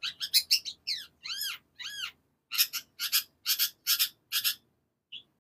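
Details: Long-tailed shrike from Situbondo, East Java, Indonesia, singing fast and dense: loud harsh chattering notes, a few arched buzzy slurs, then a steady series of rasping double notes, a short pause and one final chip.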